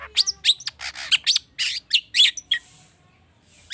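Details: Long-tailed shrike, cendet, used as a prompting recording to get other birds singing: a rich, varied song of rapid harsh chirps, sharp downslurred notes and buzzy bursts, with mimicked phrases, delivered in quick irregular bursts.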